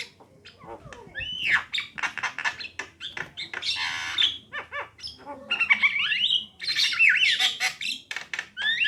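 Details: Female and male Javan mynas singing a busy, varied song. Rapid clicks and chatters alternate with loud raspy squawks and rising whistled slurs, all packed densely over several seconds.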